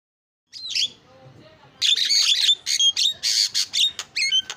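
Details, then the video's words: Javan myna singing vigorously: a single whistled note, a brief lull, then a steady run of harsh buzzy bursts and short sharp whistles repeated roughly twice a second. "JALAK KEBO SUPER GACOR SUARA ISIAN"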